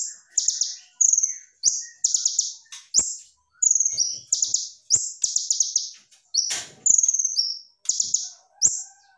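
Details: Energetic brown-throated sunbird, called konin, singing with full 'tembakan': bright, piercing high chirp series of rapid stuttering notes, repeated roughly every half second to second, with occasional downward-slurred whistles and a brief harsh rasp.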